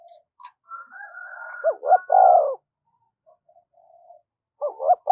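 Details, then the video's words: Cooing spotted dove used as a lure for wild doves, giving one strong phrase of clipped notes and a long low coo, preceded by rooster crowing and followed by the start of another phrase. "tiếng cu gáy mồi gáy gọi kích bổi nhanh nổi"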